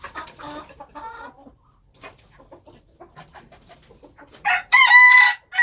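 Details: Wild chickens: several clucking notes and faint scattered calls, ending in a loud, drawn-out crow with a steady high tone.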